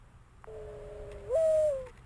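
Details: A Mourning Dove gives one soft, low hooting coo: a steady note that swells, lifts briefly higher and then slides back down; captured on a garden camera, September 2020.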